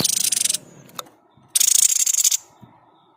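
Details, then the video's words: White-chested babbler 'tembakan' shot sound recorded as training material for songbirds: two fast, scratchy pulsed rattles, the second longer at nearly a second, separated by a sharp click. "Tembakan terbaik burung sniper gacor"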